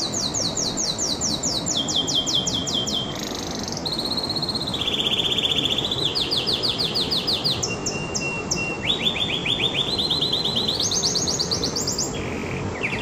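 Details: Long canary song of many varied tours, fast repeated high notes, buzzy rolls and thin whistles, changing pitch every second or two, set against constant low-frequency background noise.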